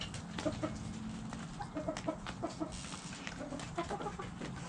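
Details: Backyard hens clucking: short soft repeated clucks in small clusters over a steady low background hum, with a few sharp clicks and rustles.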